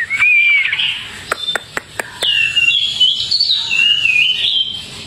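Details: Outdoor tame Hwamei song: a rising whistled slur, several sharp clicking ticks, then a flowing warbled phrase of bright whistles that wanders up and down.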